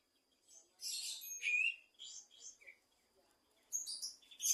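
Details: Kapas tembak bulbul singing vigorously in the afternoon: bursts of high, bright chirps and short whistled slurs, a pause, then a fresh run of sharp high notes near the end.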